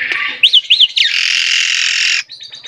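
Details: Asian pied starling in lively song: two quick arched whistles, then a long harsh, rasping buzz about a second long, followed by soft scratchy chatter.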